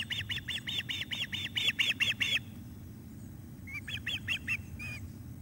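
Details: Osprey at the nest, fish delivery on the evening of 17 July 2021. A run of about eleven quick, ringing whistled notes is followed by silence, then a shorter, softer group of chirps. A faint low hum lies underneath.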